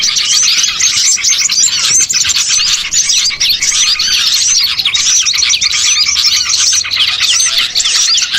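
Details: Lure recording of small birds for attracting birds to be caught; a relentless, noisy chorus of high-pitched chirps and quick trills, many birds overlapping throughout.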